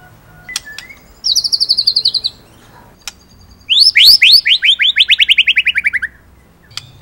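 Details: White-rumped shama from Indonesia, vigorous tutor song in the rolling style: a level rapid trill, a pause with isolated clicks, then a louder fast trill that slides steadily downward in pitch.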